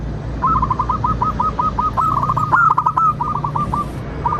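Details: Zebra dove of local stock singing to draw replies from other doves: a long fast run of short purring coo notes, rolling and even, with a brief clattering noise midway over steady low hum.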